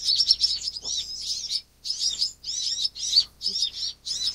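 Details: Van Hasselt's sunbird, also called purple-throated sunbird, giving rapid high, thin twittering chirps in quick bursts, with short pauses between phrases; no other clear sounds.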